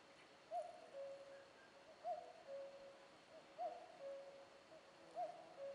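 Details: Common cuckoo calling steadily: four clear, mellow cu-coo phrases, each a higher note followed by a lower one, evenly spaced about one and a half seconds apart against a calm, hissing background.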